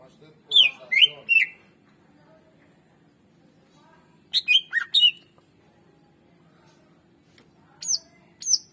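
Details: Greater green leafbird singing, used to coax silent birds into song: three short bursts of rapid slurred, chattering whistles separated by pauses of a few seconds, over a faint steady low hum.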